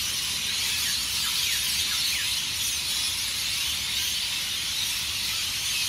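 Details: Hundreds of rainbow lorikeets screeching at their Norfolk Pine roosts on Burleigh Heads Beach, Gold Coast, Queensland, Australia, before sunrise, about to leave for the day; a dense, unbroken wall of shrill chatter with short falling squeals.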